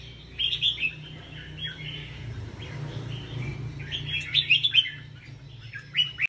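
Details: 'Bông' red-whiskered bulbul, caged and competing in a Vietnamese rack singing contest: clipped warbled phrases with loud chirpy peaks, softer chatter between them, and a steady low rumble underneath.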